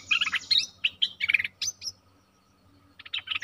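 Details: Streak-eared bulbul song of lively, chattering, slurred whistles and bright chirps in quick bursts. A short pause follows, then another burst of rapid notes. A faint low hum runs beneath.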